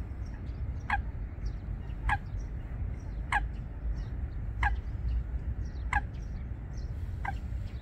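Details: A Eurasian coot pair building its nest amid aquatic vegetation at Wangsong Lake calls in six short, sharp, explosive notes, about one every 1.3 seconds, against a low rumble and distant high-pitched bird twitters.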